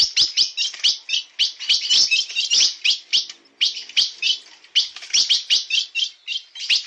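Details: A steel-billed ultramarine grosbeak sings a lively, unbroken run of high, sweet warbled notes, several each second, with brief pauses between bursts.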